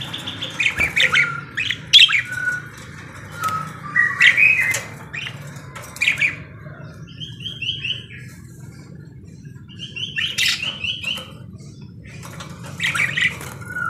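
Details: Parakeet in full song: clusters of sharp chirps, whistles and harsh clicks separated by brief pauses, with a rhythmic series of rising notes midway and low hum beneath.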